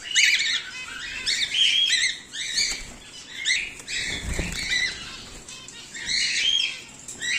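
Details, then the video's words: Captive home-bred cockatiels, whiteface emerald and exhibition grey male, give strident, buzzy squawks in quick clusters, some with whistled upper tones, alongside a soft thump. "Whiteface Emerald Cockatiel | Emerald Cockatiel | Exhibition Grey Male"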